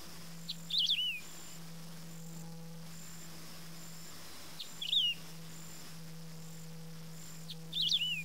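Wedge-tailed Grass-Finch giving three short, high, twisting whistled phrases roughly every three and a half seconds, over a steady low hum.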